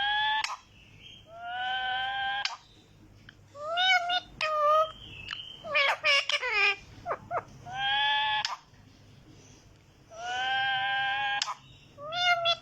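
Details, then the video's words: Green talking parrot indoors giving a string of nasal, wavering harmonic calls, some long and steady, others short and rising, in bursts separated by brief pauses, with a faint low hum behind. "Talking Parrot green"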